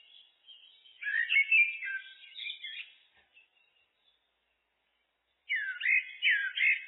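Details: Common blackbird (Turdus merula) delivers a rich warbled phrase with twittering notes, falls silent for about two seconds, then starts a new run of looping fluted notes.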